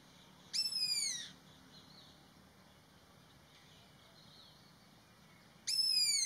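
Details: Indian pitta giving its alarm call twice, about five seconds apart: each a sharp, high, downward-sliding whistle, with soft faint chirps between and a low steady hum beneath.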